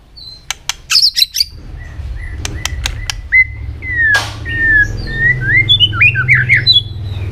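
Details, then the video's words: White-rumped shama singing for training: sharp clicks and chattering at first, a harsh burst, then clear whistled phrases rising and falling, growing into a varied run of fluty notes over a low steady hum. "luyện chòe hót nhiều giọng.kích chòe lửa hót nhanh căng"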